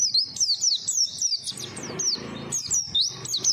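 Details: White-eye in full song meant to draw in other white-eyes, a rapid series of high, sharply slurred whistled notes in quick bursts, briefly broken by a softer patch before resuming.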